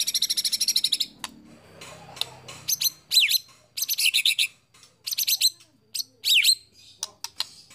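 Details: White-rumped shama singing varied mimicry favoured by competition judges: a quick high trill, then a series of short clustered bursts and sharp zigzag whistled notes separated by brief gaps.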